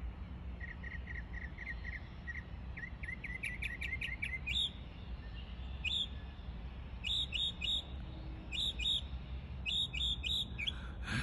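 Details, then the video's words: Mockingbird imitating other birds: a quick stutter of chirps, then bursts of sharp, high, rattling notes separated by short pauses, over a low hum. "Mockingbird…so amazing how they can copy almost any sounds from other birds…"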